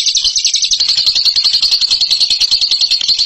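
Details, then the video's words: Rapid ngekek chatter by a bird, a dense high trill of quick repeated notes that sounds slightly lower after the first second and continues unbroken to the end. "INI DIA JAGONYA NGEKEK"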